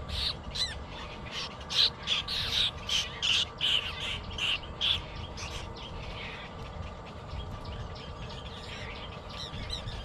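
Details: Baby bird begging for food: quick run of harsh, raspy high chirps, roughly three per second, loud at first then fading into softer scattered cheeps, with faint background hum.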